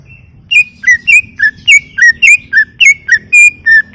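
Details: Greater green leafbird (cucak ijo) in full, nonstop 'gacor' song for a masteran training recording: loud whistled notes sliding down, about two per second, each with a bright upper overtone, over a low rumbling background.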